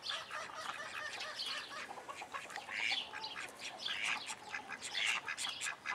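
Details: In a private collection in Holland, young call ducks with chicks keep up a busy stream of shrill peeps and short squeaky calls from several birds, some louder bursts standing out every second or so.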